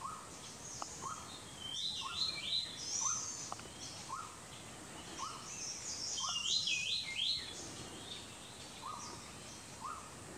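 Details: White-gorgeted flycatcher of subspecies leucops at Doi Lang, Thailand, in February or March: short rising whistled notes repeated about every second, with higher thin twittering phrases from other birds above and a faint insect hiss.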